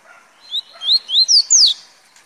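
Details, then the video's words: Short burst of velocista song from a double-collared seedeater: four loud, piercing whistles, each sweeping upward, delivered in just over a second. "Papa Capim Velocista"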